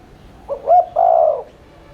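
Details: Single spotted dove coo phrase from a lure to stimulate cooing: a short note, a rising hoot, then a longer burry coo lasting about half a second.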